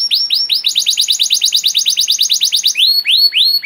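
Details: Master song of a canary for teaching young canaries, with a rapid rolling series of bright falling whistles, about five per second, ending in slower, broader rising-and-falling notes.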